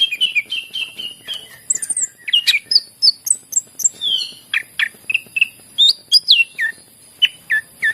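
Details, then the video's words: {'text': 'Greater green leafbird used to stimulate reluctant singers. A string of repeated descending whistles opens the song, then gives way to varied high slurs, squeaky notes and evenly spaced chirps.'} "cucak ijo gacor masteran yang terampuh buat pancingan burung yang lagi susah bunyi"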